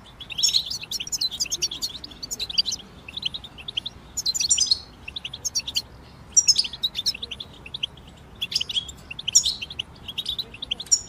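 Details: Chorus of several European goldfinches, used to encourage a moulting goldfinch to sing: dense clusters of high, jingling twitters and sharp chirps, swelling into busier bursts roughly every two seconds, with faint background hiss.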